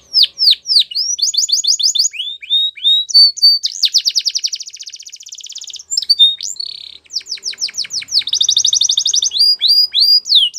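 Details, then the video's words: Canaries singing energetic tours: quick downslurred whistles, a rolling trill, a long rapid buzzy roll, then sharp descending notes and another fast trill, loud and clear with little background. "Canaries Singing"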